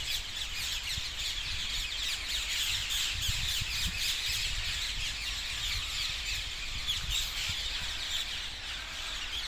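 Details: At roost trees south of Hackney Marshes on 18 February 2021, a large gathering of parakeets keeps up a thick, high, scratchy chorus of overlapping squawks that fades slightly at the end.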